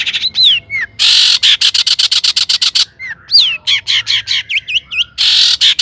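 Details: Energetic Long-tailed shrike song meant to provoke rival shrikes into singing: a slurred whistle, a long harsh rasping burst, a rapid train of scratchy clicks, then looping whistles and a closing buzzy rattle.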